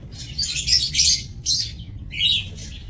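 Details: Lovebirds in a breeding aviary cage, recorded 30 May 2024: shrill, harsh chirps in short bursts of about half a second, separated by brief gaps, with several birds calling together.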